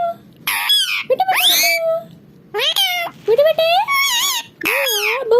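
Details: Pet parrot talking indoors, excited at its mirror: a run of short squawky word-like phrases with strongly harmonic, bending tones and brief pauses between them, with laughter and music nearby.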